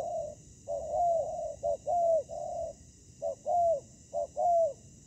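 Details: Spotted dove decoy on a ground trap meeting a fierce wild dove that came to fight. Mellow, low coos in short and drawn-out notes, some gently falling, grouped in phrases with pauses of about a second.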